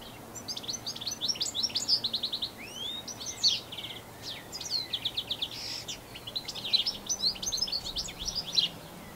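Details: Canary-like song of a European goldfinch in New Zealand, recorded on a Canon SX60HS: an unbroken, elaborate stream of high liquid twitters, quick repeated trills and sweeping notes, lively and varied throughout, with faint low hum behind.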